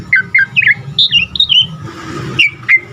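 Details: Asian pied starling song for tutoring caged birds: paired downslurred whistles, higher wavering whistled phrases, a brief noisy pause, then two isolated sharp whistled notes.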